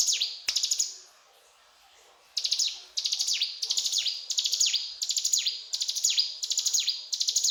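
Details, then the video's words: High, energetic mountain tailorbird song, a short pause after the opening phrases, then regular bursts of sharp chirps each ending in a down-slurred whistle. "Burung Ciblek Gunung Gacor Cetrakan"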